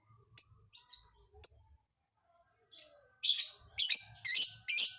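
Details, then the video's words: Scattered thin high chirps build into a series of loud, harsh, buzzy bursts as a lovebird performs an unusual song filling. "Burung lb isian aneh"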